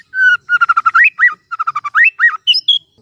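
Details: White-rumped shama kept to make other shamas sing, delivering a short run of clear whistles, steady notes then upslurred loops, ending in a higher thin note.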